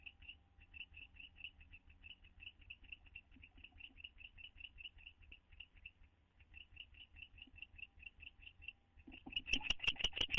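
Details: Pair of owls bonding in a nest box, one trying to be affectionate while the other holds back, May 2011: a steady series of short, high chitters repeated about three times a second, turning louder and harsher near the end.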